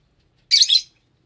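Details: A lovebird gives one short, harsh, high-pitched squawk with a double-peaked, raspy quality, cut off cleanly against silence.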